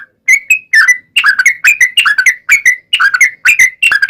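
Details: Lure song of a yellow-vented bulbul intended to make other yellow-vented bulbuls sing back: quick clusters of two or three slurred, gurgling notes, repeated about every half second.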